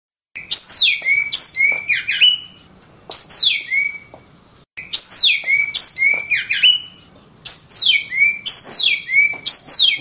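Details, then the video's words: Oriental magpie-robin, known locally as kacer, singing loud bursts of sweet whistled phrases that sweep downward from high notes, mixed with sharp clicks, delivered in phrases separated by short pauses. "Kacer Bird Singing"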